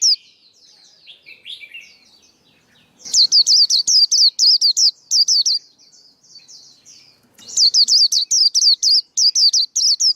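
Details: Male white-eye singing, a recording used to coach young birds' voices and lure white-eyes into traps: soft high chatter, then two sustained runs of rapid, sharp, wavering twitters with brief gaps between phrases.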